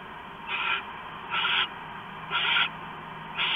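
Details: Owl at its nest on the evening of 3 September 2015, 7:36 PM, arriving early to finish a rat stashed in the pantry; harsh, breathy hisses about once a second over a steady low hum.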